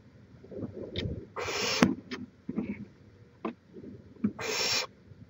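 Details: Nest-cam barn owl, Chula Vista, California, 18 May 2017: two long rasping hisses separated by a few seconds, surrounded by faint clicks, taps and a soft muffled background.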